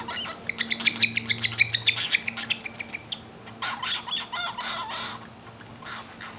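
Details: Young hungry cockatiel begging during feeding: rapid, insistent high chirps at a fast, steady pace for about three seconds, followed by rough, noisy rasping and fluttering sounds.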